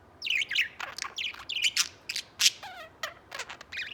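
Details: Busy chatter from a white pet budgie: fast, high twittering notes and clicks tumble together, with a lower descending whistle slurring down midway through.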